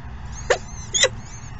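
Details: Peregrine falcon at the nest in late morning feeding gives two quick, harsh calls about half a second apart. Faint high whistling tones and a low rumble lie beneath them.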